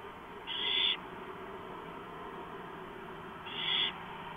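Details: Three owls inside a nest-box cam housing at 4:45 AM on 6 April 2015; a pair of loud, breathy rasping screeches, each roughly half a second, spaced three seconds apart, with steady hum.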